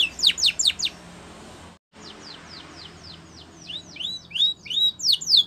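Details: Spanish Timbrado canary song, used for training canaries: quick bursts of high, steeply falling notes repeated several times a second, a short silent break, then a run of similar sweeping notes that speeds up toward the end.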